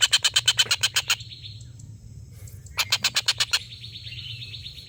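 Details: Collared kingfisher called tengkek buto, a laughing-call tutor for competition birds: two short bursts of rapid harsh notes, each followed by a thin buzzy trill, with low hum beneath.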